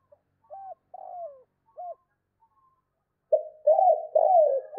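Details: Spotted dove giving the two-note 'cốt' call meant to excite rival doves: a few soft, separate hooting notes, a pause, then a loud burst of three rich, rolling coos.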